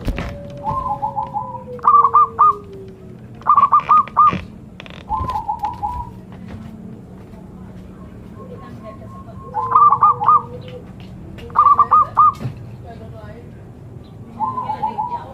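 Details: Zebra dove cooing in repeated short phrases of fast, trilled notes, each burst lasting under a second, spaced irregularly, with a lower sliding call and faint background noise between phrases.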